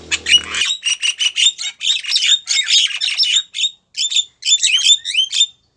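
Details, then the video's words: Female Javan myna calling a male, a lure sound: rhythmic bursts of raspy, buzzy squawks with sharp whistled inflections, repeated in quick succession, with a brief low hum at the start. "Kicauan suara burung jalak kebo betina manggil jantan"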